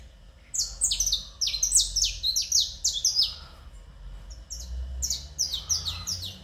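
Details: Caged domestic canary song: quick trains of high, falling whistled notes in clustered bursts, a brief softer pause mid-way, then the rolling phrases resume over faint low rumble.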